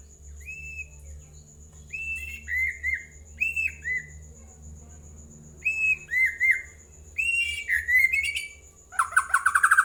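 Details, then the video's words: White-rumped shama song as a lure to get other birds answering: paired clear whistled notes with a slight drop, repeated in spaced phrases, ending in a quick harsh chattering run, over a low hum. "Pancingan murai jadikan burung anda ikut nyaut dan gacor"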